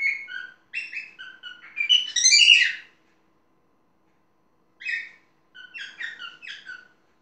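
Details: Indoor pet parrot producing mixed whistles and grating chatter. A loud squawky burst follows, then a pause, then a short call and a second chattering phrase.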